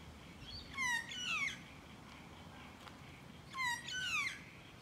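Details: Magpie close by, uttering two bursts spaced about three seconds apart, each a rasping, falling nasal note run into a longer wavering whine.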